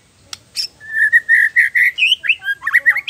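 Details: White-rumped shama song used to train contest birds: a sharp click, then a steady run of about eight loud even whistled notes, finishing with jumpy higher slurred phrases.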